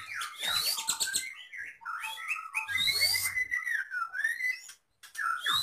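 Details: Medan-type white-rumped shama singing in its cage, packed with lovebird, canary and cililin imitations; tumbling varied whistles, a long rising sweep and warbled notes, a short break, then another upward whistle.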